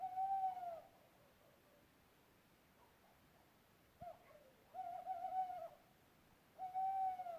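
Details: An owl recorded in Europe gives level, wavering hoots of about a second each with faint overtones: one at the start, a short note near four seconds, a longer quavering one just after, and another at the end, separated by quiet pauses.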